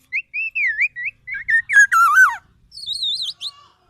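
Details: Black-naped oriole giving clear fluty whistles, a run of short wavering notes followed by a louder, richer slurred phrase and a final higher wavering whistle, with no other sounds heard.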